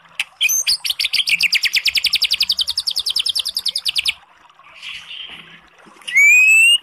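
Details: White-rumped shama song meant to trigger a listless bird into answering: a rapid steady trill of about thirty repeated chirps over four seconds, a soft pause, then one loud rising whistle.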